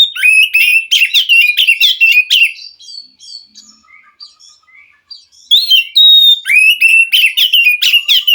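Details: Wild white-rumped shama answering a captive bird that sings poorly: quick loud whistled and chattering phrases, a gap with quiet distant calls, then a long pure whistle and another rapid chattering run.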